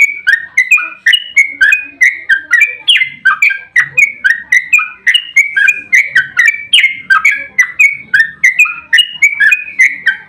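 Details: Long, continuous fighting 'ropel' song of a sooty-headed bulbul, used as a lure so others sing back. Ten seconds of unbroken, rhythmic liquid whistles at several notes per second, the pitch wavering up and down, clean background.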